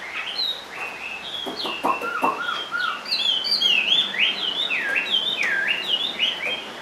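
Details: Caged Chinese hwamei singing in its low-perched style: clipped whistles and a few sharp clicks give way to a run of loud, swooping V-shaped whistles, about four a second.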